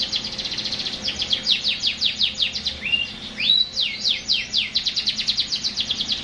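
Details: Dense canary song of rapid chirped trills, interrupted briefly by two level whistled notes, then returning to fast repeated high chirping.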